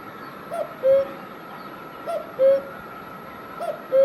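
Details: Cuckoo in Himachal Pradesh, India, giving a two-note call, a short higher note dropping to a longer lower one, repeated three times about every one and a half seconds over a steady background hum.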